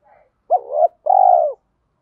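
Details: Lure spotted dove singing in the 'giọng thổ' style mixed with 'thúc đấu' challenging phrases, used to draw wild doves in fast. A two-part coo: a short bent hoot, then a longer, steady, mellow one.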